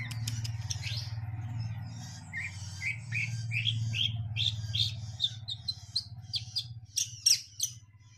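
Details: Javan munia singing, given as the bird "bob marley" in Indonesian songbird hobby circles: a run of short rising chirps climbing from mid to high pitch, quickening toward the end, over a steady low hum.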